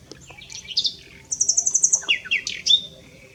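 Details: Common nightingale at S'Albufera: brief phrase of chirps, then a very high, rapid string of piping notes, dropping into lower slurred whistles, with a faint low hum behind.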